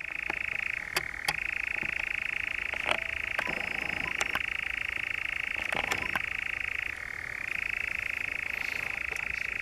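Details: European nightjar, the Brecks, Norfolk, July 2017, churring continuously with a short pitch drop at the start and another near the end, while several sharp clicks and knocks punctuate the trill.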